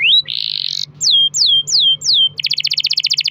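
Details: Canary in full long-roll song, used to coax other canaries into singing: a rising whistle, a buzzy held note, four ringing downslurred whistles, then a fast pulsing trill.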